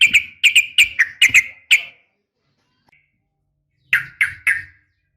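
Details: Female yellow-vented bulbul calling the male, for training caged males. A quick series of six sharp chattering notes, a pause, then three more harsh bursts with a faint low rumble beneath.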